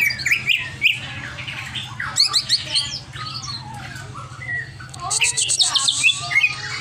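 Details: Over-excited greater green leafbird producing a long medley of squawks, twittering notes and slurred whistles, ending in a dense burst of high buzzy chatter, with low hum in the background.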